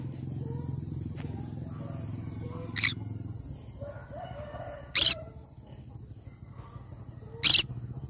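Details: Cinnamon green-cheeked conure calling with a softer squawk, then two loud, harsh screeches about two and a half seconds apart over a low background hum.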